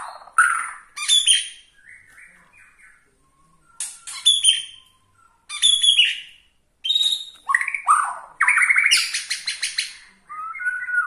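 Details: A Borneo-type White-rumped shama sings loud, varied phrases meant to provoke other shamas: rich whistles, rapid trills and harsh chattering notes, broken by brief pauses.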